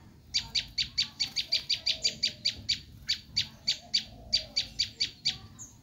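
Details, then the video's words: Screaming call of a Bar-winged prinia, played to attract wild prinias: a fast run of about twenty sharp, buzzy, high notes, briefly spaced out then quickening again, over a quiet background. "Suara asli prenjak lumut menjerit"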